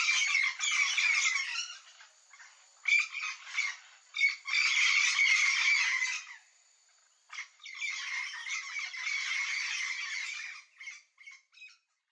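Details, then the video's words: A flock of wild Yellow-faced Parrots (Alipiopsitta xanthops) gives harsh, screechy squawks in dense, overlapping bursts of several seconds, with brief quieter pauses between. "PAPAGAIO-GALEGO canto do bando"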